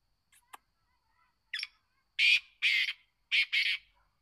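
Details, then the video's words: A kept black francolin (kala teetar) begins with faint clicks and a short scratchy note, then breaks into four loud, rough, buzzy notes delivered as two quick pairs. "kala teeatar ke awaz|kalateeaar|back francoline voice"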